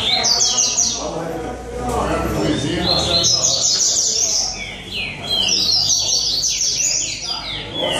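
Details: Rusty-collared seedeater song at a competition in São Vicente: dense bursts of high, quick twittering and descending whistles from multiple birds, broken by brief lulls, with a low murmur of voices and crowd noise.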